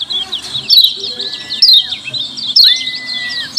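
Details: Lemon-bellied white-eye 'ciak ciak' calls meant as a lure for other white-eyes: bursts of shrill, quick chirps about every second, plus a steady whistled tone that rises, holds level, then falls slightly.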